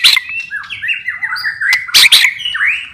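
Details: White-rumped shama, a kept bird, in a rich, dense warble of overlapping slurred whistles with harsh chattering bursts in the middle and a rising note at the end.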